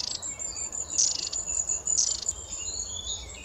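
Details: Long-tailed tits met in autumn and winter, giving thin, very high-pitched trilling and twittering calls, with brighter bursts near the first and second seconds and fainter high notes between, over a quiet background.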